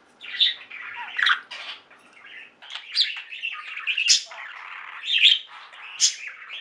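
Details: Pet budgies singing as a flock: soft buzzy warbling punctuated by loud sharp chirps and clicks at intervals, faint background hiss early on.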